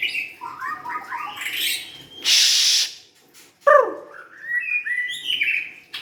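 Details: White-rumped shama, a young wild-caught bird, singing warbled whistles broken by a loud rushing noise, then a sharp downslurred note and a rising sequence of bright whistled phrases.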